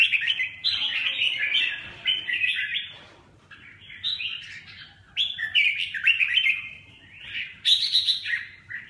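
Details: Song of a red-whiskered bulbul, a string of lively warbling phrases with quick up-and-down slurred notes, several bursts broken by brief gaps, one sharp high note near the end; little background noise.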